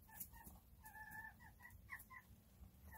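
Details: Chickens relaxing together: short clucks interspersed with one longer, level, drawn-out note, then a few more brief calls, against a low rumbling background.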